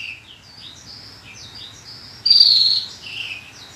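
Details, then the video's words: Horsfield's bushlark song for training kept birds, recorded 2022: soft chattering twitters, then one loud, level whistle that slides downward, followed by a husky note, with low hum behind. "Kumpulan masteran burung branjangan terbaru tahun 2022, dijamin branjangan anda akan gacor"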